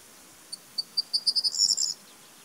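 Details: A corn bunting sings at the former Iron Curtain border zone, giving a high, dry phrase: a few spaced ticking notes speed up into a brief jangling rattle, like shaken keys, under two seconds long.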